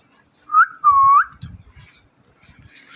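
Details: Parrot giving a clear whistled call: a short rising note, then a longer level whistle that lifts at the end, followed by soft low knocking sounds.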